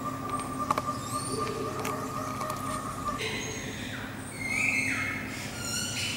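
A Sunbittern gives a single thin, drawn-out whistle, steady then slightly falling, over a constant low mechanical hum with a few faint high chirps.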